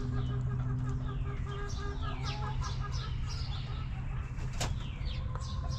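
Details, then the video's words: Chickens in a backyard coop cluck in a quick series of short notes for the first two seconds. Wild birds keep up falling chirps, with one sharp knock and a background hum. "Rooster Crowing! Hens Clucking!"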